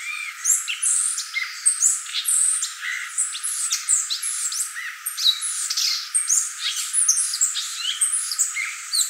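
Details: Violaceous euphonia song: a dense, fast run of high chirps, twittered notes and short squeaky slurs, tumbling on almost without pause.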